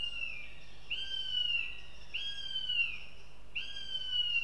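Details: A young female northern goshawk visiting the nest in Riga, Latvia, gives drawn-out, high, slightly falling whining calls, three in about four seconds, over a steady low hum; her male siblings are heard later.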